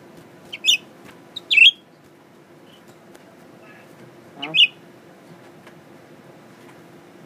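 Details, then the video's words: A new pet Blue-winged Leafbird, a male unafraid of people, sings while looking in a mirror: three short, sharp, curling phrases, high and chattery, with a few seconds of quiet between them over a low steady hum. "Pretty Blue Winged Leafbird Singing.. 蓝翅叶鹎爱唱歌"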